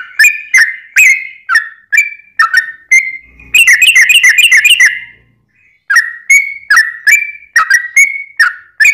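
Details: Yellow-vented bulbul singing at length to stir other bulbuls into song: gurgling whistled notes, then a quick burst of rapid chattering notes, a short silence, and more liquid bubbling phrases.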